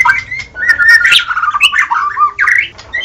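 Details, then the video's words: White-rumped shama pouring out a continuous warble of overlapping whistled and rasping notes, with scarcely a pause. "SUARA BURUNG - Murai batu DIJAMIN LANGSUNG NYAUT dan GACOR dengan suara murai batu terbaik ini"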